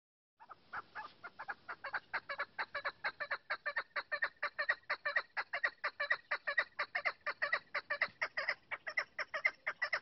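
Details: Female chukar partridge calling with a steady run of short, clucking chuk notes, about two per second, loud and even throughout with a rich, harsh tone and no other sounds.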